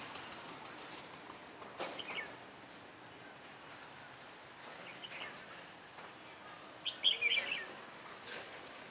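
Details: Red-whiskered bulbul used as a decoy bird for trapping, recorded on a cold, windy day, 16 December 2017; a brief, faint chirp early on, then a quick, lively warbled phrase near the end over constant outdoor noise.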